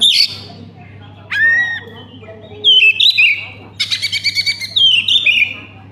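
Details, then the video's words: Oriental magpie-robin lure song for prompting rival birds to sing: varied sweet whistles, sliding notes and a quick rattling sequence of repeated elements, with a faint background hum. "pancingan kacer konslet"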